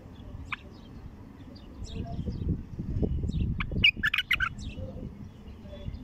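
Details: A wild-caught, untrained bulbul singing with a heavy voice, its song just starting to open up, gives scattered liquid whistled notes, then a quick rich burst of several phrases, over a steady low rumble.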